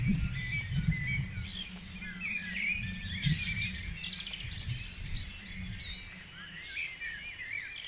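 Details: Many birds sing together at dawn in Guisborough. Twittering and sliding whistled notes overlap continuously, and a strong low hum runs underneath throughout.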